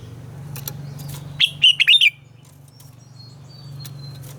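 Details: Morning song of a red-whiskered bulbul, played to train captive bulbuls: one brisk phrase of five warbled, slightly rising and falling notes over a constant low hum, with faint thin chirps afterward.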